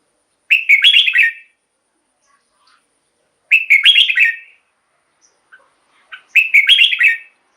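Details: Three matching bubbly whistled phrases from a red-whiskered bulbul, each about a second long and repeated roughly every three seconds, a song played to excite caged birds or lure them.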